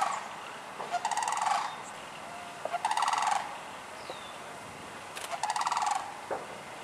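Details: Sandhill cranes calling in Michigan between March and June. Three separate rolling rattles sound, each about a second long and made of rapid throaty pulses. Quiet gaps fall between them, with faint other sounds in the background.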